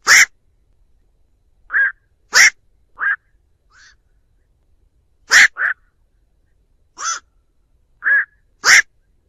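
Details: Lure recording of a black-crowned night heron calling the flock: abrupt harsh barking croaks, sometimes doubled, repeated irregularly every second or two, with no background noise.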